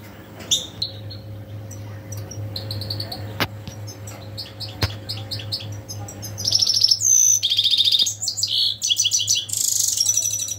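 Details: European goldfinch: faint scattered chirps over a steady low hum and a few clicks for the first six seconds, then loud, rapid liquid twittering with buzzy trills to the end.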